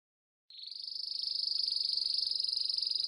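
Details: Belgian crested canary song: a single sustained high trill beginning abruptly and holding steady, with a fine rapid pulsing throughout, clean background.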